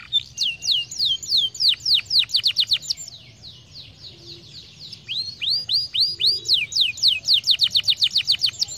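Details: Canary singing to stimulate song: quick bursts of falling whistled notes, a brief quieter pause, then another fast rhythmic run of descending notes, with a faint low background hum.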